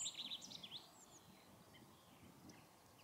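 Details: Brambling (Fringilla montifringilla) on a winter visit to Harrington Airfield, February 2014, gives a quick burst of bright, slurred chirps in the first second, then fades into a soft, steady background hiss.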